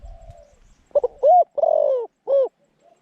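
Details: Caged zebra dove used as a decoy to lure wild doves into a pen trap, with a middle-pitched voice, giving a few short rolling coos, then a longer falling coo and a final arched note, in quiet surroundings.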